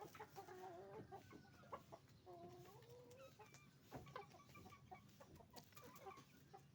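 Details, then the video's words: Chicken farm with roosters and hens calling together; dense clucking and short rising and falling calls overlap, with clattering knocks and constant low background hum. "the sound of a chicken farm, roosters and hens making noise"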